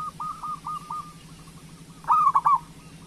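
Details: Local zebra dove in full song, meant to prompt other doves to sing: soft, distant-sounding repeated coos, then one loud mellow phrase of quick rolling pulses ending in a drawn-out coo; low background hum.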